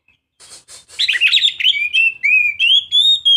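A young Oriental magpie-robin sings: a few harsh, scratchy notes, then a run of sweet, clear whistles that slide and rise and fall, repeated quickly.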